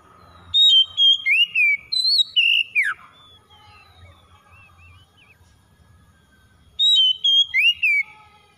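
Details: Oriental magpie-robin song used to trigger a bird reluctant to sing. Two bursts of loud whistles, each a short series of sharply rising then falling notes, separated by several seconds of quiet.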